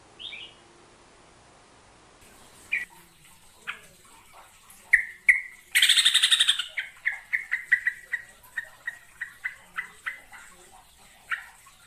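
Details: Hook-billed bulbul (merbah jambul) vocalizing: scattered clear notes, then a sharp noisy burst, followed by a long run of short evenly repeated whistled chips roughly three per second, gradually fading.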